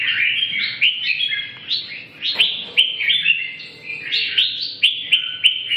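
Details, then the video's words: Red-whiskered bulbul giving a continuous run of bright, fluty whistled phrases, each note sliding and bending, packed closely together with only short gaps. "chim Chào mào"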